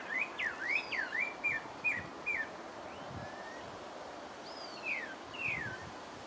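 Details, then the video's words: Pale-breasted thrush (Turdus leucomelas) in French Guiana opening with a rapid run of short slurred whistles, then quieter, with a few louder falling whistles and a high thin upslurred note near the end. "Pale-breasted thrush (Turdus leucomelas) - singing"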